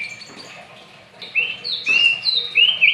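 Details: White-rumped shama of the Aceh type, singing brief whistled phrases around mid-high pitch; notes rise and slur, some clear upslurred whistles in the second half after a quieter start.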